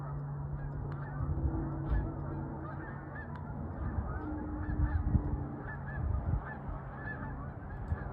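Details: Large flocks of Canada geese flying high overhead on 1/4/26, honking and yelping together in a distant, overlapping chorus over a steady low rumble like wind or traffic.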